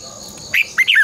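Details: Red-whiskered bulbul, caged and used as a decoy for training birds, giving a short phrase of three bright whistled notes, the last one slurred and falling.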